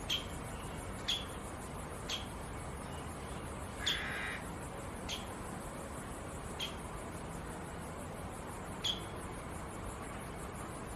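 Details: Syrian woodpecker chiselling out a nest in Jerusalem: seven sharp, single knocks at uneven intervals of one to two seconds, over a steady background hiss and low rumble.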